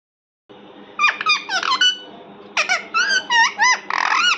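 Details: Parrot indoors giving bursts of squeaky, sharply bending chirps in two quick clusters, each note rising and falling, against a faint steady room hum.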